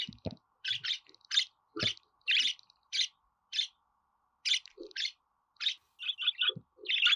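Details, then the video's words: Budgerigar chattering in a busy warble of mixed chirps, squeaks and buzzy notes, with low clicks and taps scattered through. "Muhabbet Kuşu Ötme Garantili Kuş Sesi,Muhabbet Kuşu Sesi"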